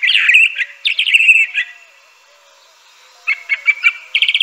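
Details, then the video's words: A Crissal thrasher sings two linked phrases of rich, rolling notes, falls silent for about two seconds, then resumes with spaced chips and a quick repeated stutter. "Crissal Thrasher bird song."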